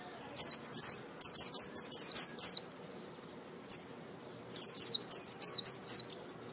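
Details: White-eye singing: bursts of high, twisting whistled notes, each rising then dropping, delivered in quick runs of five or six with short pauses between groups, against a quiet, faintly noisy background.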